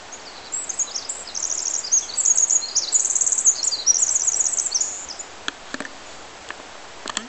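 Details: A Pacific Wren at Lewis Creek, Sierra National Forest, California, sings a long, very high, tumbling cascade of rapid trills and twitters for several seconds, with a few sharp clicks near the end.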